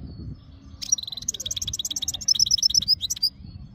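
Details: European goldfinch in breeding condition, ready to mate, recorded in Jijel: after brief quiet, a bright rapid twittering song of tinkling high notes and liquid trills for nearly three seconds, over low background hum.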